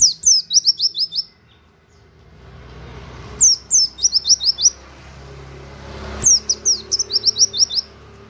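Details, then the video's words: Indonesian white-eye in a loud 'nembak' style song with 'wit wit' canary-like notes, used as a model for training cage birds: three bursts of about eight sharp, high, downslurred whistles in rapid series, with a faint low hum between. "pleci nembak wit wit kenari cocok buat masteran"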